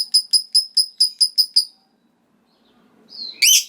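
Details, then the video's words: Lovebird in full song starting a ngekek, the long trill that draws replies from rival lovebirds: eight crisp, high clicking notes in quick even succession, silence, then a rising squeal. "Suara Burung Lovebird Gacor Ngekek Panjang Bikin Lovebird Lawan Langsung Nyaut Ngekek"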